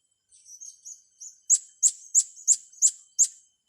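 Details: Young blue-crowned hanging parrots being trained: a few soft, high whistled notes open, then six sharp, piercing high chips follow at a steady beat, about three per second, with no other sounds.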